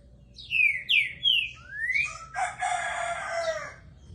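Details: Green-winged saltator, a brave and tireless singer, delivers three loud down-slurred whistles, then a rising whistle and a short note, ending in a harsh, buzzy, rich stretch of sound lasting over a second.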